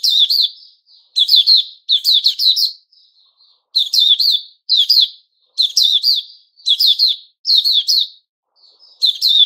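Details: Puteh Raja (white-crowned shama) in new-feather season, 6 September 2021, gives repeated short bursts of loud, rich whistles mixed with sharp high chips, each burst about a second long and separated by brief silences.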